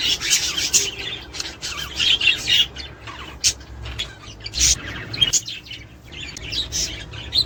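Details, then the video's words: Budgerigars chattering, played to encourage mating and breeding: scratchy high chirps and warbles in uneven bursts, with sharp clicks and short squawks between them over a faint hiss. "تحفيز طيور البادجي الأسترالي علي التزاوج والانتاج والتكاثر والبيض"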